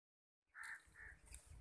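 A long-tailed shrike chick gives two harsh, rasping calls about half a second apart, over a low rumble of background noise.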